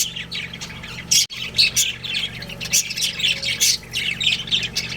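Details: A breeding pair of budgerigars chatters with scratchy high squawks and chirps, a short click-like break near the start, then steady rapid chirping, all over a low hum.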